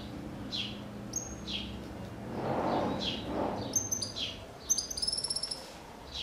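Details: Cattle tyrant singing: thin, high descending notes repeated about every second, then rapid tinkling high twitters in quick bursts toward the end, over a soft hiss with a low murmur midway.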